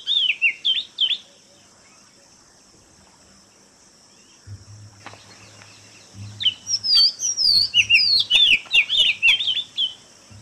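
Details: Oriental magpie-robin singing clear, varied whistled phrases, a short burst at the start and a longer run of sweet, rising and falling notes near the end, with a low steady hum in between.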